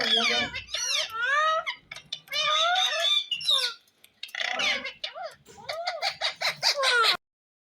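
A ringneck parakeet talks in a shrill, nasal, speech-like voice, rattling off rapid wavering phrases in several bursts with brief pauses between them.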